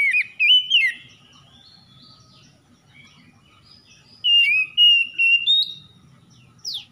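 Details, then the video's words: Oriental magpie-robin (kacer) at morning dew, a lure to help stressed birds sing: a short twisting whistled phrase, a quiet stretch, then a sustained sequence of clear whistles ending in a falling sweep. "PANCINGAN KACER EMBUN PAGI"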